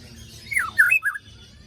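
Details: White-rumped shama singing as a lure for birds that went quiet after moulting: a short phrase of three or four swooping, falling whistles.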